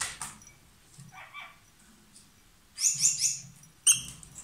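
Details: A lovebird pair calling: soft twittering early on, then a burst of rapid, high chattering notes and one sharp squeak near the end, over quiet background.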